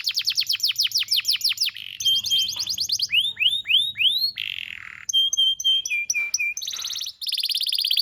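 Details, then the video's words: Tutor recording of canary song for young canaries: rapid descending sweeps, arched rising-falling notes, a twisting whistle, then short clipped chips and a closing buzzy trill. "PANCINGAN KENARI GACOR DURASI DURASI PANJANG UNTUK MASTERAN KENARI PAUD BELAJAR BUNYI DAN GACOR"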